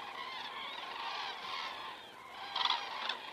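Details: Crane camera in Estonia, 19 September 2017 at 19:10: a flock of common cranes flying over, their overlapping rolling trumpet calls close and loud, ending in two sharp, stronger notes.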